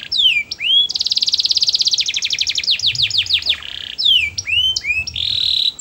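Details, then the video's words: Canary singing melodiously: curved swooping whistles, a dense buzzy trill, a string of falling slurs, then more swooping notes and a steady tone. "Suara burung kenari bernyanyi merdu"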